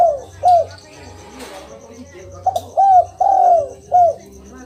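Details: Spotted dove call used to make a quiet caged dove respond: short arched coo notes, then a gap, then a cluster of three to four rounded coos with one long sliding note, with continuous high pulsed chirping behind.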